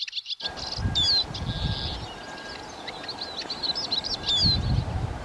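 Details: Eurasian siskin twittering continuously with high thin notes and occasional downslurred whistles over constant low background rumble.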